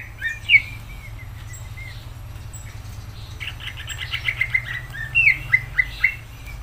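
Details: Greater green leafbird (cucak ijo) in vigorous song. A few loud whistled notes open, a quiet pause follows, then a fast stuttering chatter breaks into bright, repeated whistled flourishes. Low background hum throughout.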